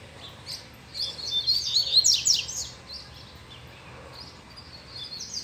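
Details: Caged male double-collared seedeater stirred by a female close to its cage delivers a rapid, dense phrase of high twittering and sharply slurred notes over about two seconds, then softer scattered chirps.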